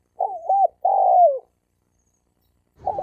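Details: Wild spotted dove male in a challenge fight: a short looping coo and then a long, even coo that bends down at its close. Another coo begins just as the phrase ends, over a brief thump.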